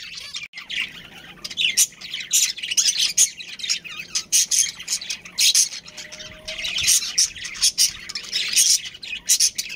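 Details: Budgies in a breeding family colony producing busy squawky chatter: sharp, metallic chirps and rasping calls repeated rapidly, overlapping voices, with a brief faint whistle in the middle.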